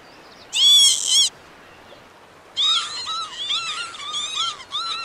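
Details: Northern lapwing, a large crested wader found in grassland, farmland and coastal mudflats, giving a harsh, wheezy burst followed by a chain of rising and falling squeaky notes.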